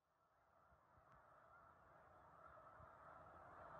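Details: Large raft of Snow Geese on Cayuga Lake between Romulus and Aurora, New York, in December 2023; a faint, distant chorus of many overlapping honking calls that grows steadily louder, with low rumbling noise underneath.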